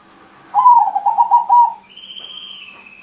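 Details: Crossbred zebra dove with a big voice, used as a lure, delivers a bubbling rolling coo lasting over a second, followed by a faint higher whistle.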